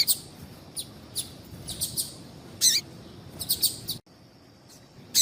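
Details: Female double-collared seedeater calling to prompt a male to sing: scattered short, high, thin chirps at irregular intervals, some in quick pairs, with a brief silent gap near the end.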